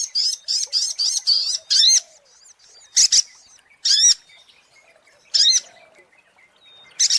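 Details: Lure recording of a sogok ontong sunbird: short bursts of sharp, high, twisting chirps, first in a quick run of five or six, then single phrases spaced about a second apart with quiet gaps between.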